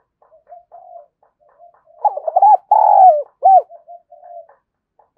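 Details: Kích bổi lure cooing of a spotted dove: soft, broken murmurs build into a loud burst of several arched coos, including one long drawn note, then fade back to quiet murmuring.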